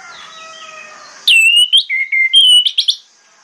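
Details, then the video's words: Orange-headed thrush, morning song used to draw replies from other thrushes; a loud sustained whistled phrase with sliding pitch, then flatter held whistles and quick trailing notes, after faint background whistling. "PANCINGAN ANIS MERAH PAGI HARI|| ANIS MERAH LAIN AUTO NYAUT"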